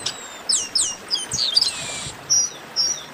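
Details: Chestnut-capped blackbirds in a group chorus ('baderna') used to warm up singing birds, giving several downward-sweeping high whistles and short chips, some overlapping.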